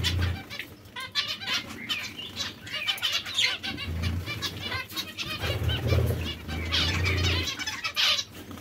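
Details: Several zebra finches kept as breeding pairs give nasal, toy-trumpet beeps and short chattering phrases, overlapping constantly, with wing flutters and a low steady hum underneath.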